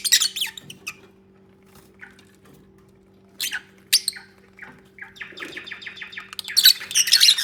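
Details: Paired lovebirds cuddling and nesting, real unfiltered sound: scattered sharp chirps, then a quick run of about eight evenly spaced clipped notes, ending in a loud burst of excited high chatter; a low hum runs throughout.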